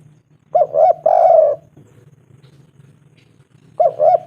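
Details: Local spotted dove calling to attract a female: a short two-note hooting coo followed by a longer drawn-out coo, a pause, then the pattern begins again, over a faint low hum.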